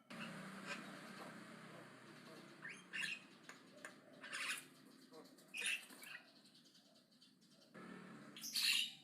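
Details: Javan myna giving aggressive, loud chatter: scattered harsh squawks and rasps, some rising whistles, over a noisy background hum, ending in a strong grating burst.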